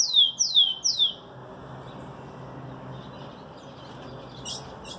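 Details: Rufous-collared sparrow singing with an ultramarine grosbeak (azulão) in the background: three clear, loud whistles, each sliding steeply downward, about a third of a second apart, then soft high chips and faint distant notes.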